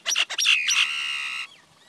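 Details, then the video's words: A Common Myna gives a few quick harsh chattering notes, then a long buzzy, grating churr lasting about a second, with a faint whistle after. "Common Myna Sound ! Common Myna Song ! Common Myna Call ! Common Myna Vocal ! Common Myna Voice"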